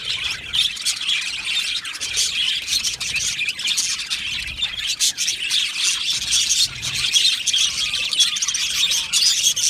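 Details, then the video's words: Australian budgie colony in an aviary, a nonstop chorus of high warbling chirps and occasional harsher squawks from many birds, even and dense from start to finish. "Beautiful Australian Budgie birds aviary sound | Budgie singing and chirping sounds"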